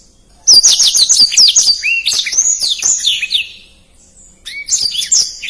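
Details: Black-throated canary, a tutor recording for contest birds, singing fast and densely with its distinctive phrasing: high, rapid twittering trills and slurred whistles, pausing about a second before a new burst.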